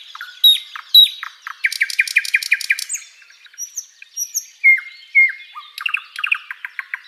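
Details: Song of a flycatcher used to tutor cage birds: sharp, descending chirps, a run of evenly spaced, clipped notes with a buzzy edge, high thin slurs, then clear whistled phrases and a quick ticking series.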